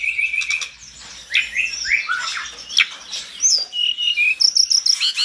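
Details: Mountain tledekan singing fiercely and provoking responses from other tledekans. A steady high whistle opens, then comes a busy mix of sharp chirps and slurred notes, ending in rapid repeated high bursts.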